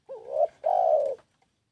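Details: Soft, hollow spotted dove cooing: a wavering start that grows louder, a brief gap, then a long, level, mellow coo.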